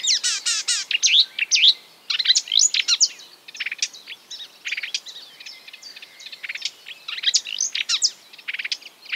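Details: Marsh warbler mimicking other birds, starting with harsh buzzy chatter and swooping whistles, then a long, varied sequence of quick chirps, clicks and short trills at uneven spacing.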